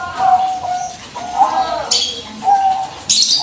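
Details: Zebra dove, Bangkok type, calling in a lure recording meant to draw a reply; drawn-out, wavering coos with uneven pauses, mixed with sharp hissing or rustling noises.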